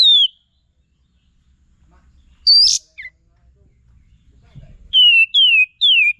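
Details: Kapas tembak, the sooty-headed bulbul, giving lure song meant for training songbirds: a falling whistle, a higher harsher note with a short low blip, then three ringing down-slurred whistles in quick succession; faint low rumble underneath.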